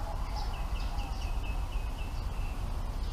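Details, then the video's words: Bulbul chicks in the nest begging while parent birds bring food: a run of short, high chirps repeated about every third of a second, slightly descending, over steady low rumbling background noise. "Bulbul Parent birds brings food to feed their babies in the nest"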